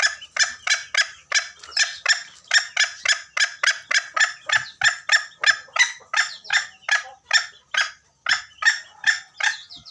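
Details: Lure call of junglefowl used for trapping at Gunung Kambeng: around twenty-seven rasping, buzzy bursts in ten seconds, evenly paced, with one brief pause near the end before the rhythm resumes.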